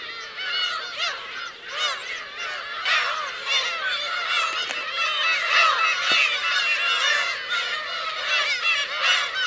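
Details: Colony of Black-tailed gulls with chicks at Kurosaki coast, Teuri Island, Hokkaido, recorded 17 June 2021; continuous tangle of harsh, wavering mewing cries from many gulls, with a couple of sharp clicks.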